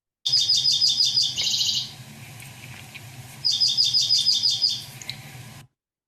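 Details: Dark-eyed Junco song, starting mid-song, in two rapid, high, even trills of repeated notes, each about one and a half seconds long, separated by a brief pause over a low hum.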